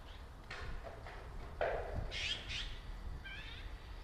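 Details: Azure-winged magpies in a winter flock at a park bird sanctuary with a frozen pond, 10 January 2021; several harsh rasping squawks spaced irregularly, followed by a few brighter, thinner notes near the end, with low background rumble.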